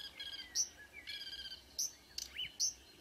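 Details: Marsh warbler near Ski, Norway, 5 a.m. in early June: soft chattering phrases broken by sharp, very high squeaks about every half second, ending with a rising whistled swoop.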